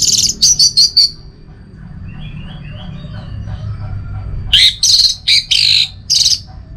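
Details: Orange-headed thrush giving high, rapid clipped notes in two bursts several seconds apart, with soft chirping from other birds and low rumbling noise in the gap.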